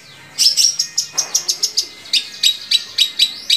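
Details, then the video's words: Long-tailed shrike song used to stir other shrikes into singing: a quick series of sharp, high chirps repeated about five times a second, with a brief pause midway before the run resumes. "SUARA BURUNG‼️Cendet mana aja yang gak mau gacor bila seperti ini"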